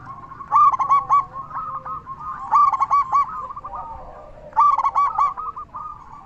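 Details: Local zebra dove singing steadily in a big voice, used to stir other zebra doves to call. Three loud stuttering coo phrases come about every two seconds, trailing into softer cooing, with a background dove chorus.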